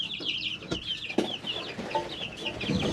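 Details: Chicks three weeks old calling in a brooder: a steady stream of high, wavering peeps overlapping one another, with a few sharp taps and knocks in the background.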